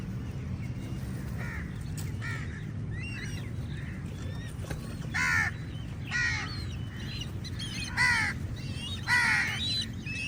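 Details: Many crows squabbling with eagles over food give harsh, buzzy caws in bursts, roughly one per second toward the end, with thinner whistled sweeps from other birds and a steady low rumble of background noise.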